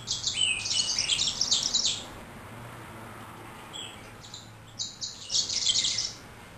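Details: A male yellow-rumped seedeater sings two bright, rapid bursts of high twittering and trilled notes, separated by a brief pause and a few softer chirps.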